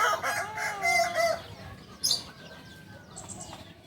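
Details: Kokok Balenggek chicken from Solok, West Sumatra, Indonesia, a nearly extinct singing breed whose crow can rise through up to 19 tiers; a wavering, bending crow fills the first second and a half, then fades into quieter background sounds and a brief rustle.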